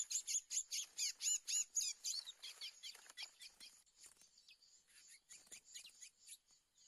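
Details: Aggressive male black Lesser Seed-Finch (curió) singing back at a borrowed decoy bird during 2024 trapping: fast, regular run of loud sweeping whistled notes about four per second, then softer, broken, scattered notes.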